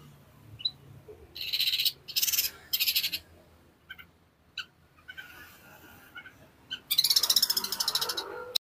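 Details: Long-tailed shrike, East Java, Indonesia, in fast, dense gacor song: several grating, buzzy bursts, then isolated clicks and chips, ending in a long, rapid, rasping rattle.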